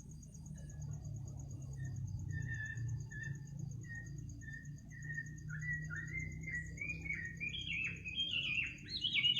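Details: At midnight a bird gives soft, evenly spaced whistled notes that speed up into a rising, bubbling trill at the end, over a constant low rumble and a faint high tone.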